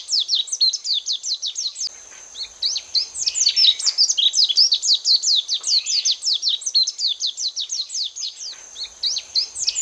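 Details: Lowland white-eyes (Zosterops meyeni) give rapid, high, thin twittering calls in a near-continuous chatter, several birds overlapping, with a steady high hiss behind.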